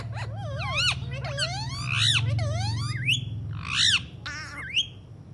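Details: Talking Alexandrine parakeet: loud, wavering whistles and rasping, voice-like phrases running almost without a break, swooping up and down in pitch. A steady low rumble sits in the background.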